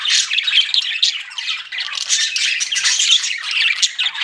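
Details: Pet budgerigars chattering together, a steady stream of raspy warbles, squeaks and short whistled chirps layered over one another.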